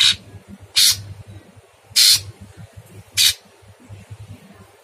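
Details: Masteran training recording of a Sooty-headed bulbul with a very harsh voice: four separate rasping, noisy bursts, each under half a second, spaced about a second apart, over a low continuous background hum.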